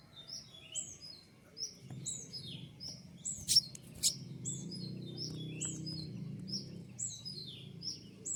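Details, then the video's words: A recently caught male Javan white-eye in the taming stage, learning sounds, calls in rapid, high, falling chirps about two a second, with two loud clacks midway and a low rumbling background noise later. "Konin ijoan jantan bahan baru dapat pikat dalam proses penjinakan belajar bunyi"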